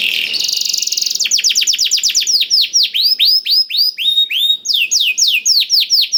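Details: Canary song filled with blackthroat phrases, played as a lure so canaries start singing: opens with a fast buzzy trill, then steady runs of sharp downward-slurred whistles repeated several times per second.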